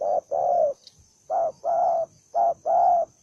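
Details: Aggressive, fight-hungry spotted dove, a single bird, calling three times: every phrase pairs a brief low coo with a drawn-out, even coo, spaced roughly a second apart, with a soft click between the first two.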